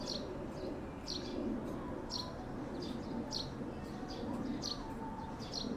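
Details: Sparrows near the Kanzaki River chirping in quick high notes, roughly two per second, over continuous low ambient noise.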